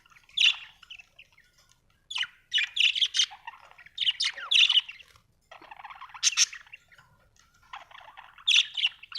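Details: Happy budgerigar chirping: bursts of scratchy chattering chirps and squawky warbles in clusters roughly every two seconds, separated by short pauses of quiet.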